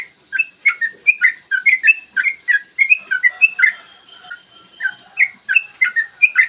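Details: Long rolling song of a yellow-vented bulbul, played to rouse other birds to sing and fight; dense, hurried burst of chirpy whistled notes, then a short lull and a renewed spaced run.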